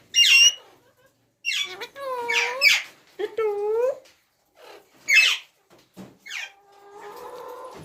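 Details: Ringneck parrot offering a few sharp squawks and several arching, voice-like tonal phrases, ending with a low, steady droning hum.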